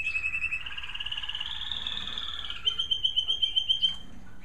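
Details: Evening song of a captive American Singer canary in a breeder's bird room after dark falls. A fast rolling trill slowly rises and then levels, giving way to a higher, sharper trill of quick repeated pulses.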